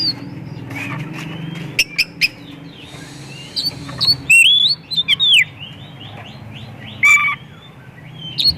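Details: White-rumped shama song played to lure other shamas to sing: a varied run of sliding whistles, a series of quick rising notes, sharp clicks and a bright whistled phrase, over low background rumble.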